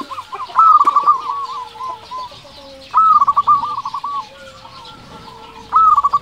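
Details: Local zebra dove in full song, used as a lure to stir other doves: three phrases of rapid, bubbling coos, each opening with a higher note and then rolling into a fast stuttering trill, repeating about every two and a half seconds, with softer cooing behind.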